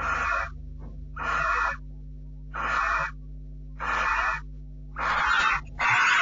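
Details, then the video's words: Barn owl on a nest, the male visiting the female, who does not want him there and refuses his nuzzling; recorded 6 July 2013 at 10:30 by nest camera. Broad, harsh hissing screeches about every second, with a steady low hum behind. "MrCBO visits, Mrs doesn't want him there"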